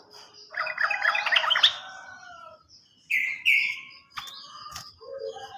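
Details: Sooty-headed bulbul song used to make stalled birds sing: scratchy chattering warble for about two seconds, then short loud rising whistles and a few sharp clicks.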